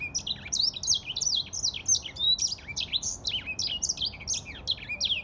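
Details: Grey singing finch in full song, a fast unbroken stream of high-pitched zigzag chirps and quick slides, energetic and varied, over faint low hiss.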